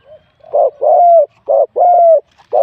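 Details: Wild spotted dove in a singing competition, scored 87 points, cooing in a mid-to-large voice style: short low coos each followed by a long, smooth, slightly falling coo, repeated in pairs.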